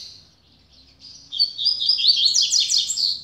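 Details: A soft, thin, drawn-out whistle from a newly acquired double-collared seedeater swells into a fast, loud, chattering twitter of tightly packed high notes that lasts to the end.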